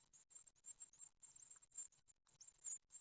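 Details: Great tit nestlings on their ninth day, filmed being fed at a nest on 15 June 2020 in Ostwald, give thin, very high-pitched begging notes in quick irregular bursts, with short silent gaps between them.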